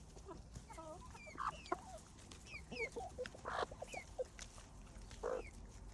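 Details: Hens on a farm eating fresh bread from a handmade wicker bowl on the grass, giving scattered short clucks and a few rising squeaky notes over a soft outdoor background.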